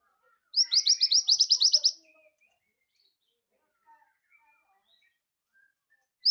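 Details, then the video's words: Scarlet minivet in full song for tutoring other birds: a fast burst of about ten high whistled notes over roughly a second and a half, then quiet with faint distant sounds, and a single note starting again. "Suara sepah raja merah gacor cocok untuk masteran"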